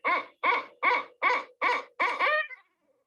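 Barred Owl giving six rich, hoarse hoots about every half second, the last drawn out and falling, in the familiar 'who cooks for you all' rhythm.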